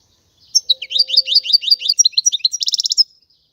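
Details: European goldfinch singing a quick liquid twitter of repeated chirping notes, ending in a rapid buzzy trill, bright and clear against silence.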